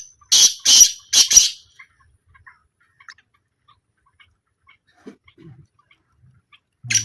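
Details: Black francolin in a small calling trial: three loud, rasping, closely spaced notes, then near silence with a few faint ticks and a final harsh note cut off at the end.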